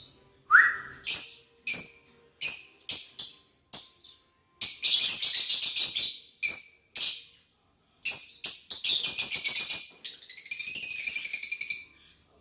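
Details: Lovebirds interacting with each other: an opening whistled note, then a steady run of sharp high chirps about every half second, broken by long buzzy chattering stretches.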